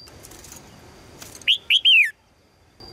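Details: Calling female red-whiskered bulbul seeking a strong male, giving one phrase of three rich whistled notes, the last a drawn-out falling slur, after faint rustling, with a thin steady tone in the background.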